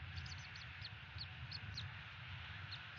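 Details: A rapid string of short, high, squeaky chips, about a dozen in under three seconds, comes from a bald eagle at its Florida nest on 30 December 2017 near 11 a.m. A low rumble of wind runs beneath.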